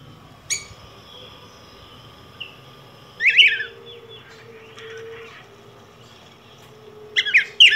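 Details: Sparse yellow grosbeak notes: a sharp high note, then a short warbled phrase, a long pause with faint sounds, and another brief rich phrase at the end, over a low steady hum.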